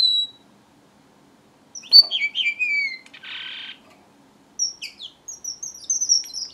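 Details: Strawberry finch song opening with one high whistle, then after a pause a tumble of falling slurred whistles, a brief harsh buzz, and a bright series of high, thin piping notes.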